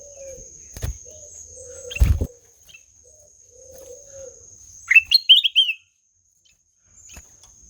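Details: Melodious song of a ruby-throated bulbul: two loud thumps early on, then a clear phrase of a rising swoop and quick bubbling warbled notes near the end, with a constant high electronic whine.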